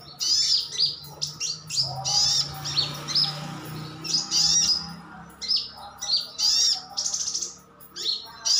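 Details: Sunbird, locally sogon, sogok otong or sriganti, kept in a cage and calling to draw responses from other birds: rapid, high twittering chirps and squeaky whistles throughout, over a faint low drone.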